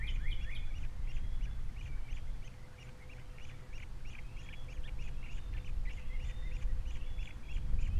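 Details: Steady stream of quick whistled chirps, several per second, from the osprey nest at Captiva with three chicks, February 2022, beneath a strong low wind rumble.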